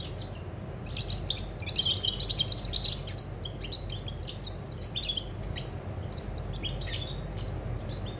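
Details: Recorded 20 August 2020, a European goldfinch sings a fast, tinkling warble of chirps and thin whistles, with a run of rhythmic repeated notes near the start and a quieter low hum beneath.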